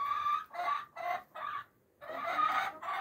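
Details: Brahma roosters: a loud, harmonic crow broken into four short syllables, then a pause and a longer, drawn-out final phrase.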